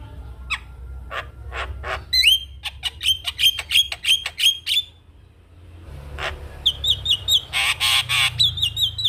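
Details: Javan myna, a caged songbird used as a master to teach young mynas, delivering sharp clicks followed by a string of bright whistled notes with harsh overtones, a pause, then another loud whistled and rasping burst.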